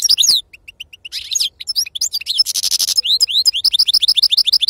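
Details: European goldfinch performing authentic wild 'khalawi' song: descending chirps, a series of short clear notes, a harsh buzzy trill, then a long brisk run of repeated, evenly paced liquid twitters.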